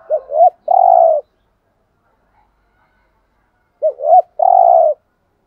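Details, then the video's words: Decoy spotted dove cooing thúc gù: two phrases about 3.5 seconds apart, each made of two short rising notes leading into a long, steady, hollow coo, with silence in between. "chim cu mồi thúc gù bài bản nhất hiện nay"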